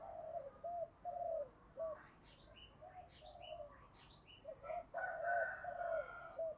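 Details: Decoy spotted dove with a fine, well-structured cooing voice, used to quickly rouse trainee doves to coo: low hoarse coo notes in short phrases, with higher thin chirps and twitters from other birds in between and toward the end.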